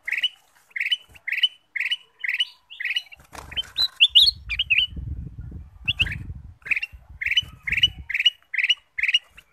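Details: Ruby-throated bulbul song used to coax other birds into singing: regular chirped notes, a jumbled warbling passage with rustling and low rumble in the middle, then even chirps again.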